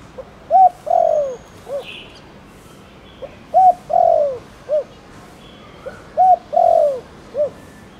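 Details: Spotted dove calling to stimulate rival doves to call: three evenly spaced phrases of short note, arched coo, long sliding coo and clipped final coo, about every three seconds, with a brief chirp from another bird.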